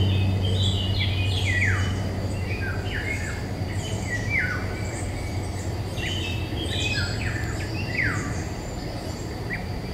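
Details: Eurasian golden oriole song from May woods, 2021, Nikon Coolpix P1000. Dense, repeated fluty phrases, each gliding sharply downward, follow one another quickly. A low hum and faint high bird chirps sit underneath.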